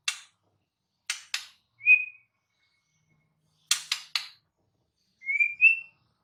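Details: Wild white-rumped shama alternating sharp clicking ticks with short, clear whistled notes, pausing between phrases in a quiet setting.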